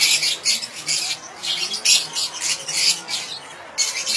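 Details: Fischer's and rosy-faced lovebirds, played to stimulate mating and breeding: dense bursts of sharp, high chirps and squawks, about one burst per second, with short gaps between them.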